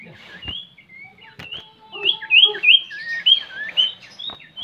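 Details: Common iora (sirtu, cipoh) song used as a lure to stimulate other birds to sing: bright clear whistles, some sliding up or down, some looping, given in a quick, varied string with brief gaps, over a faint low hum and scattered clicks.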